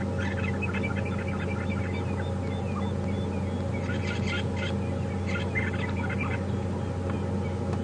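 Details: Red-billed buffalo weavers busy building nests in a thick clump of branches just above a safari vehicle at Djuma Game Reserve on a morning drive, 30 September 2015: scattered chirping whistles and chatter over a steady low engine hum.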